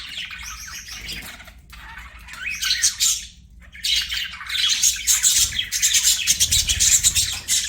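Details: Pet budgerigars chirping and warbling in dense, scratchy bursts of high chatter, with a brief pause near the middle before the busy twittering resumes more loudly and continuously to the end.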